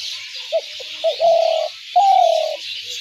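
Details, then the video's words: Spotted dove call for trapping doves: short clipped notes, then a sustained quavering coo and a higher second coo that slides lower, with continuous hiss underneath. "ঘুঘু পাখির ডাক/Dove bird calls/gugu pakir dak/ dove trap sounds/পাখির ডাক"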